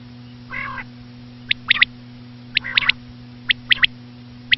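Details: A nasal, wavering note, then a run of crisp, high three-note bursts from a common quail, several triplets in quick succession over a constant low hum.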